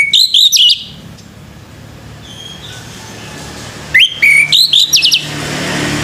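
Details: Morning song of a male orange-headed thrush: two short bursts of high, sharply rising and stepping whistles with quick trills, about four seconds apart, over a low steady hum.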